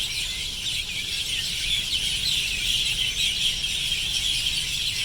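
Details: Many sparrows returning to roost in the evening in Vietnam give a dense, unbroken chorus of high, overlapping chirps with no pauses, over a low background hum.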